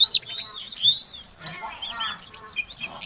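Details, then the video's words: Female Oriental magpie-robin calling to get a quiet male singing. Fainter high whistles and slurred notes, the clearest at the start, over a rough murmuring background with softer scattered chirps. "Suara Kacer Betina Untuk Pancingan Kacer Jantan Yang Macet Bunyi Agar Gacor"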